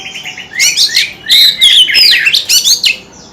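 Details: White-rumped shama in song, tail fanning, held as a cage bird: a fast run of bright, ringing whistles and swooping slurred notes packed into dense phrases, then fading into quiet at the end.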